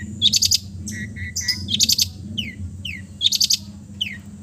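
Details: Long-tailed shrike from East Java, relaxed song full of mimicked phrases for training silent birds: triplets of flat whistles, rattling trill bursts and repeated downward-sweeping notes over a faint low hum.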